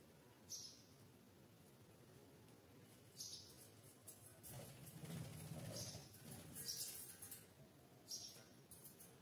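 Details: Pet budgerigars after their cage is opened give short, high chirps every few seconds over a low rumbling background.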